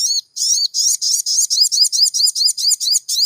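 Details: Crimson sunbird song used to provoke a caged bird to sing: loud, continuous, very high chirping, each note a bright sweep rising and falling, repeated roughly two to three times per second with no other sounds.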